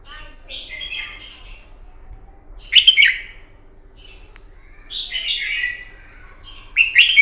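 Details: Red-whiskered bulbul, wild-caught, in vigorous morning fighting song for training birds. Alternating phrases: a mellow falling warble, then an explosive, harsh-edged burst, repeated twice across the recording.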